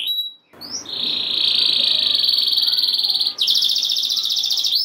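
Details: Canary rolling a long, steady, pure-toned trill at one pitch for about three seconds, then switching to a brighter, rapid pulsed roll. The song is meant to excite other canaries into singing.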